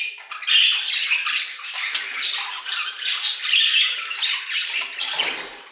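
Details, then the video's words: Aviary budgerigars singing, a rolling mix of raspy squawks, chirps and warbled phrases from several birds, swelling and easing in loudness. "Budgie Songs - 1 hour of Budgies singing in the Aviary"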